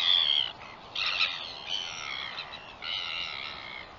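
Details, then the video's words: Northern royal albatross recorded on 21 September 2021: harsh, high, harmonic calls in three drawn-out bursts, the first about half a second long, separated by short pauses, over quiet background. "Northern royal albatross"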